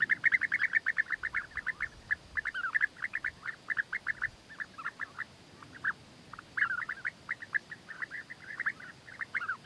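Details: European bee-eaters, in a courtship context where the male wins the female with food gifts, call together in a steady stream of short, liquid, rolling 'prruip' notes, several birds overlapping with barely a pause between calls.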